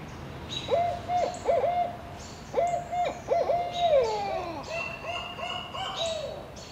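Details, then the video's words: Barred owl pair calling: clear hooting notes, some held level and others slurring downward, given in short bursts with brief pauses and overlapping voices, with faint higher chirps in the background. "Barred Owl pair calling and caterwauling."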